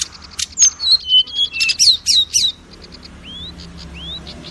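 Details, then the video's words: Oriental magpie-robin lure song for established and young magpie-robins: loud series of high sweeping whistles and chips, followed by two soft rising whistled upslurs in a quiet background. "SUARA PANCINGAN BURUNG KACER AGAR CEPAT BUNYI DAN GACOR"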